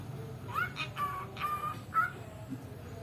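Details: Talking pet cockatiel that mimics the mother's words and can sing whistles three or four pure, steady notes, the first rising, in a melodic phrase.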